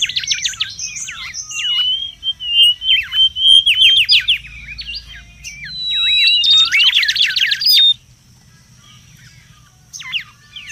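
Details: Wild Mangrove whistler in busy song, a lure and tutor recording: fast descending trill strokes and steady sustained whistles for about eight seconds, then near silence and a brief final flourish.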